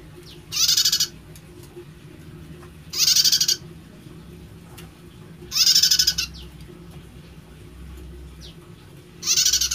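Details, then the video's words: Prinia with an unusual voice, giving four loud, rasping, pulsed buzzes, each about half a second long and repeated roughly every two and a half seconds over a low background hum. "Prenjak Suaranya Unik"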